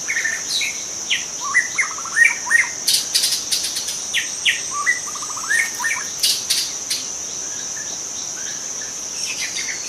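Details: Young White-rumped shama in wild forest delivering short bursts of rapid stuttering notes and slurred whistles in two main groups, over a continuous high insect buzz and crackling bursts.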